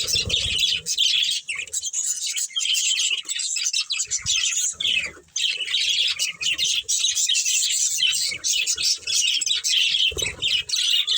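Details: Long unbroken warbling chatter from a budgerigar breeding pair, scratchy and high, with occasional soft thumps and brief dips in loudness.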